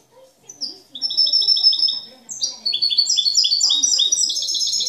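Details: European goldfinch presented as an exemplary master singer in the 'cante limpio' (clean song) style, without faults or discordant notes: fast tinkling trills of high clipped notes, two rapid phrases rising into a dense twittering run.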